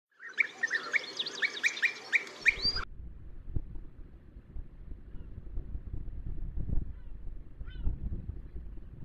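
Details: Gulls harassing near a natural osprey nest on a sea cliff about 50 metres up, Cabrera Archipelago National Park, in strong wind; a quick run of yelping calls for two seconds, then only gusting wind and one faint call.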